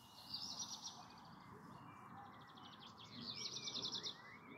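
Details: A black redstart sings in the evening on 29 June 2022: two short phrases, a thin high whistle then a fast, dry, crackling rattle, over a soft background hiss.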